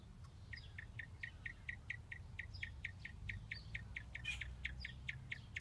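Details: A captive male quail calls very softly, often with little stretching moves, not yet in full voice. It gives a soft, steady run of short, slightly falling chirps, about four each second, over a low mechanical rumble.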